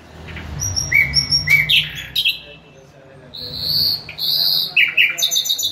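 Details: Bulbul delivering high whistled notes, short chirps and buzzy trills in uneven bursts, with a low hum underneath during the first seconds.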